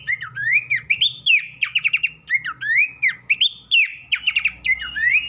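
Horsfield's babbler giving clear, slurred whistles that rise and fall, mixed with quick bursts of sharp chirps.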